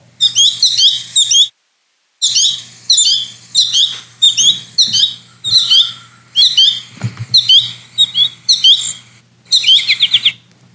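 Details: American goldfinch fledglings in late summer in Kentucky, three of them pestering their mother, give rapid, high, sweet two-note chick-pea calls in quick bursts, nearly nonstop, with a faint low hum behind.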